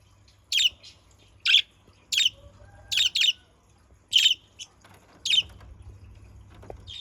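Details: Budgerigars, used as a lure recording to draw out other parakeets; short sharp chirps repeated roughly every second, with a low steady hum beneath.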